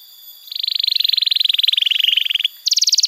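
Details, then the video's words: Canary song used as a tutor and trigger for young canaries, with a fast rattling trill of rapid repeated notes that steps slightly downward, a brief pause, then a higher, brighter trill. "Masteran Kenari PAUD & Pancingan Kenari MACET BUNYI‼️ Terapi AMPUH Bikin Kenari GACOR"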